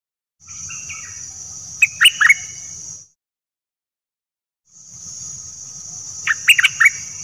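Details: Song of the nok dok taeng, played in Thailand to train young birds and make them lively: two separate short runs of crisp chirps, each over a steady shrill hiss, with a silent gap between.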